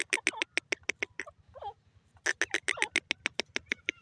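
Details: A francolin (grey francolin, called gora teetar) gives rapid, harsh clicking notes about six per second, mixed with short downward-slurred chirps, pausing briefly midway before resuming.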